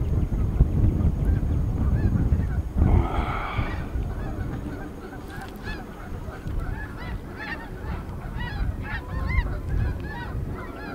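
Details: Flock of 100+ snow geese passing overhead at Buck Creek State Park, Grant Road access, on a Sunday in April 2011; dense chorus of repeated yelping honks, building in the second half, over heavy wind noise and a brief loud gust.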